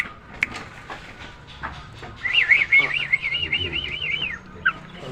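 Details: Tame Nias hill myna singing, meant to coax silent birds into song: a few scattered clicks, then a long rippling whistled trill wavering up and down, ending in a short note.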